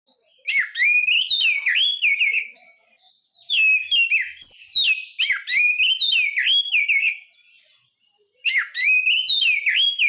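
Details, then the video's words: White-rumped shama song: loud, varied whistled phrases with rapid rising and falling notes and sharp chirps, delivered in three bursts of two to four seconds separated by short pauses. "SUARA BURUNG KACER"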